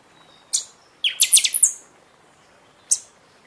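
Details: Singing pixoxó, the Buffy-fronted seedeater, in season, used to spur caged birds after feather moult: a sharp high note, then a rapid series of bright high whistles with a trailing buzzy note, and one more sharp note.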